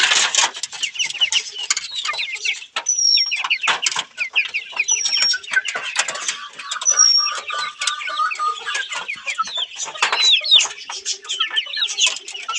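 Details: Australorp chickens looking for food in a person's hand, giving busy clucks and high squeaky peeps with thin whistled notes, continuous scratchy background chatter throughout.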